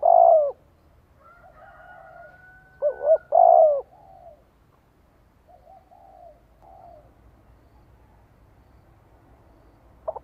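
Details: Spotted dove decoy cooing to lure wild doves in to fight: loud irregular coos near the start, a doubled coo burst after three seconds, then fainter scattered coos fading out, with low background rumble.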